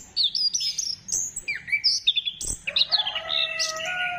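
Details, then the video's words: Orange-headed thrush singing, used as a lure to spur birds into song, dated 15 December 2025: a fast, varied string of slurred whistles and chips, ending in long, steady, tonal notes. "Gacorkan Burung Anis Kembang Dengan Pancingan Suara Ini"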